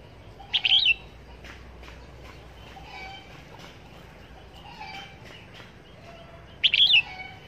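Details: Red-whiskered bulbul kept as a trapping decoy, giving two short bright chirped phrases about six seconds apart, with faint lower notes and light background noise between them.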